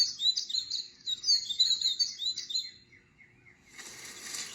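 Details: In spring, a bird sings a rapid, high twittering song announcing that it holds a territory.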